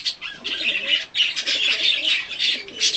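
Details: Hand-tame color-mutation budgerigar chattering during feeding and a short play and cuddle session, a busy stream of scratchy warbles and quick chirps with brief pauses.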